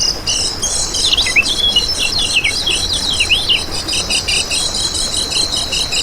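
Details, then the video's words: Lemon-bellied white-eye (kecial kuning) lure recording: rapid high swooping twitters over a loud, continuous shrill buzzing drone. "Masteran Kecial Kuning Untuk Pancingan n Pikat"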